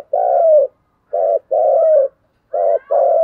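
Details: Captive spotted dove used as a decoy, giving deep rhythmic coos: five hoarse low notes in short groups, long and short ones alternating, separated by brief silences.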